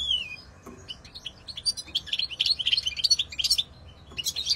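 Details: European goldfinch song: a high, slurred whistle followed by a rapid, tinkling chatter of mixed twitters and buzzy notes, ending with a short further burst.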